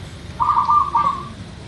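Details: Single zebra dove phrase of the local type, used as a lure to make birds sing quickly: a staccato coo running into a smooth drawn-out trill about a second long, over quiet hiss.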